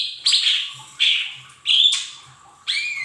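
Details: Lesser green leafbird singing to lure untrained captive birds into song: four rich, slurred whistled phrases, roughly one every seven tenths of a second, some wavering and some dropping in pitch, with a faint low hum beneath.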